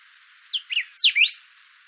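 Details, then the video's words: Thick-billed saltator song: a short phrase of sharp high whistled notes, two quick upslurred notes then a loud downsweeping whistle and a rising sweep, all high-pitched and clear. "Canto do Bico grosso saltador"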